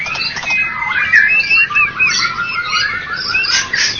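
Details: Winning white-rumped shama of Medan and Java lines in competition: clear fluting whistles and upward slides mixed with short chattered notes, a brisk, flowing phrase with brief dips in volume.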